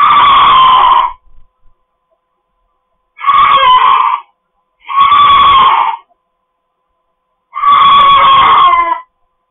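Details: Household pet cockatoo letting out four loud, raw, nasal screams of about a second each at irregular intervals, with brief silences and a few faint bumps between calls.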